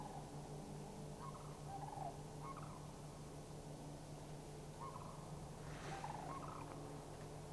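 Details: Scattered rolling rattles from three Sandhill Cranes responding to a passing flock, Far North Bicentennial Park, Anchorage, Alaska, May 1, 2011; calls come in separated bursts with pauses, over a low constant hum.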